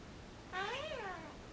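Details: Ten-year-old female Senegal parrot, a pet clinging to its cage indoors, giving a short rising-then-falling whistled vocal, a wheeing sound, followed by a spoken word.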